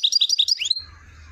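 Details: European goldfinch, Chouala, Relizane province, Algeria: a quick series of repeated twittered chirps about ten per second, ending in a rising slur and a drawn-out thin note, with a low hum beneath.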